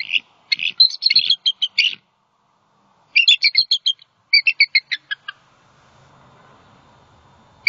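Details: Female bald eagle at a nest in Southwest Florida on a December 2020 night camera, vocalizing in distress after a great horned owl attack on her mate. Rapid high chittering runs of sharp piping notes in three bursts, then soft rumbling background noise.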